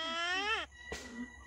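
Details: A myna (shalik) trained to talk like a human gives a drawn-out, nasal, voice-like syllable that rises slightly then drops away, followed by a brief click and faint murmuring.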